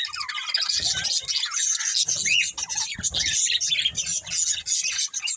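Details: Several pet budgerigars, a budgie family, chirping together in a dense, continuous high-pitched chatter of warbles and squeaks, with soft low thumps and some faint speech-like noise underneath.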